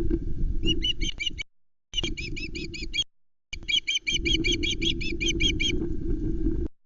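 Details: Three osprey chicks at the Loch Arkaig nest, 19 July 2020, as an adult brings in a whole trout, the fourth fish of the day. Quick, evenly spaced high chirps in long runs, with low wind-like rumble beneath.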